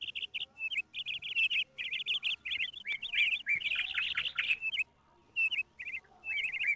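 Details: Jungle babblers (seven-brothers birds) keep up loud, harsh, squeaky chatter in quick overlapping bursts, several calling at once with brief pauses, gathered noisily at a distant papaya tree late in the morning, among many birds.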